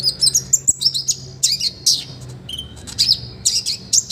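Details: Olive-backed sunbird belting out a full song meant as a master for other birds: dense bursts of very high, sharp twittering and chipping notes, one brief lower whistle, in quick succession.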